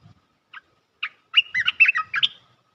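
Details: Bulbul call used to lure birds into traps, with two short spaced chirps, then a rollicking phrase of five or six bright, bubbly slurred whistles with faint low knocks beneath.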